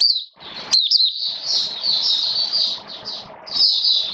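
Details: Oriental white-eye kept caged during rainy weather: a few sharp high chirps followed by continuous buzzy, wavering high warbling phrases, with faint hum beneath.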